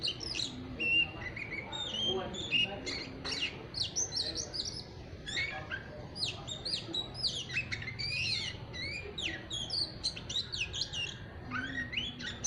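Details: Caged young white-rumped shama in its immature chattering song stage: a busy stream of high whistles, sweeping notes and twittering chirps, with faint low background noise.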